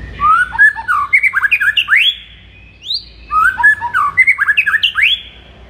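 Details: Morning song of a White-rumped shama, used to rouse a kept bird: rich, varied phrases of rapid slurred whistles and chirps, each ending in a sharp upward sweep. A second similar phrase follows after a brief pause.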